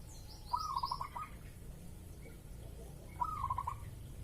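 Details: Breeding-mood zebra dove cooing as a lure meant to prompt an answer, recorded in the morning: two rolling phrases of rapid beaded notes about two and a half seconds apart over a low steady hum.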